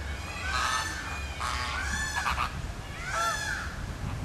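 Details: Flamingo flock at Philadelphia Zoo circling and wing-flapping together, producing overlapping nasal honks in three main bursts, harsh and goose-like, over a steady low background hum.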